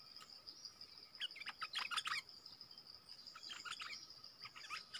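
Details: Streaked bulbul decoy calling, a family of wild birds drawn in: bursts of short chirpy notes between one and four seconds, over a steady high insect drone and a constant lower hum.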